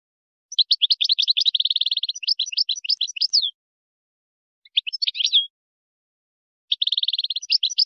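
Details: European goldfinch performing a Moroccan wydani song, recorded in 2020 for tutoring chicks and hybrids: a long rapid phrase of twitters with a rattling trill at its centre, a short twittered fragment, then another trill begins.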